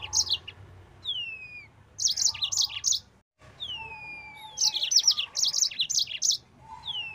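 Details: Rapid 'nembak' singing of a Yellow-fronted canary at full speed, meant as a training recording for other birds: sweeping downward whistles lead into dense runs of high, sharp chirps, repeated twice, with a short silent break midway.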